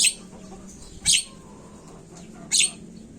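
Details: Jalak kebo (Javan myna) lure recording to spur birds to call: three rough, hissing shrieks at intervals of roughly one and a half seconds over a low steady drone.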